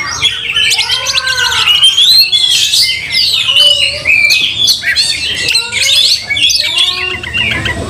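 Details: Oriental magpie-robin in an aggressive, angry fighting display: shrill rising and falling whistles and quick chatter, with lower slurred whistled notes in between.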